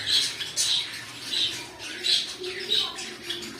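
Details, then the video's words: Pet cockatiels repeating a clear, piercing chirp about six times at a fairly steady pace, roughly one call every half second, with a quiet background. "My Cockatiel Birds"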